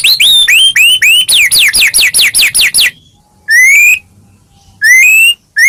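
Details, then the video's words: White-rumped shama song, used to provoke other shamas into singing; a rapid run of about twelve rising whistled notes, then two separate drawn-out rising whistles after pauses. "murai batu gacor AMPUH buat PANCINGAN murai batu agar bunyi"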